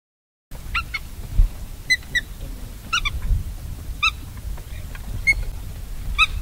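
Black-tailed Godwit flight calls: nasal, clipped 'tücke' notes, repeated in pairs and short runs about once a second, over a low rumble of wind.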